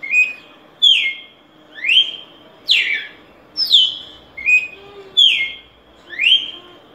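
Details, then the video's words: Singing red-cowled cardinal giving a steady series of clear whistled notes, some sharply falling, some rising then flattening, spaced just under a second apart, with a faint hum beneath. "Galo De Campina Cantando"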